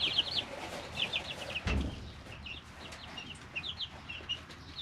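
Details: Three-week-old chicks in a brooder: bursts of high peeps early on, interrupted by a heavy thump and shuffle, then lighter scattered peeping over faint background hiss.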